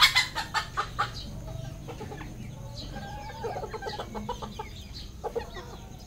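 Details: Farmed red junglefowl in Cambodia: a quick series of sharp, loud clucks opens, followed by several overlapping birds making softer clucking and short chirps over a low background hum.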